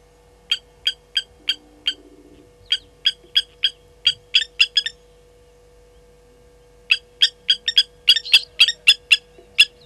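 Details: Blacksmith lapwings upset by a slender mongoose at Gowrie dam waterhole, Djuma Game Reserve, Sabi Sand, South Africa, 10:50, 30 July 2020: sharp, metallic 'tink' notes, several a second, in two bursts with a pause, over a steady low hum.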